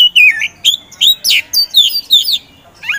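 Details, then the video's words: Oriental magpie-robin kept as a caged competition bird sings a lively sequence of slurred whistles and rough, buzzy notes, each burst lasting a fraction of a second and repeated about every half second. "KACER POCI GACOR SANG PROVOKATOR"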